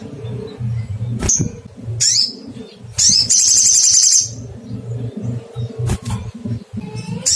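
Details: Crimson sunbird (sogon) calling to find a rival: sharp, high 'cuitt' chirps, some sliding downward, and a dense buzzy trill of about one second, over a low rhythmic humming background.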